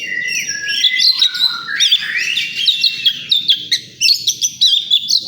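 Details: Contest-area recording of oriental magpie-robin song: clear whistled notes slide downward early, then give way to rapid overlapping chirps and trills, while a crowd murmurs quietly underneath.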